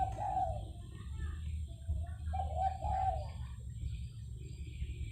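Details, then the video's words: Spotted dove cooing faintly through steady low rumbling background noise: a drawn-out coo, then a short note and a pair of longer coos, soft and somewhat muffled. "SUARA BURUNG DERKUKU"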